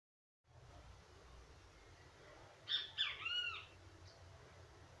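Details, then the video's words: A Great kiskadee visiting a home gives one loud, bright three-part "bem-te-vi" call over a steady low rumble. "O CANTO DO PÁSSARO BEN TE VI"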